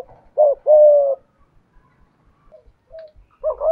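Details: Decoy spotted dove with a 'thổ' style voice gives one clear paired coo, a short clipped note then a longer steady hollow tone, followed by faint murmurs and the start of another phrase.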